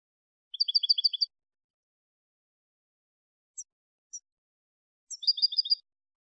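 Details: European goldfinch song in the clean Malagueño style, recorded for teaching young goldfinches: two short bright trilled phrases of rapid doubled twittering notes, with a couple of thin high chips between them, on a silent background.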